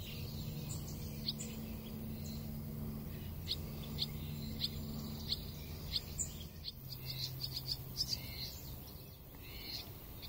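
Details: Ruby-throated hummingbirds at a sanctuary in Pomfret, Connecticut, in July, giving short high chipping notes scattered through, then a faster twittering burst, over a steady low hum.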